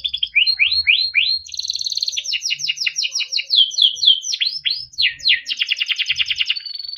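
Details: Yellow Timbrado canary in melodic song, a continuous run of fast rising and falling sweeps, rolling trills and rapid repeated notes changing pattern every second or so, with faint low rumbling in the background.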